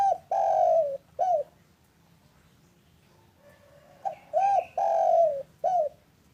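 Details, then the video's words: Local spotted dove calling in the afternoon, a recording meant to coax reluctant doves into calling: two coo phrases of a short note, an arched coo, a long falling coo and a clipped closing coo, with a pause between them. "Suara indah burung derkuku lokal gacor untuk pancingan cepat bunyi"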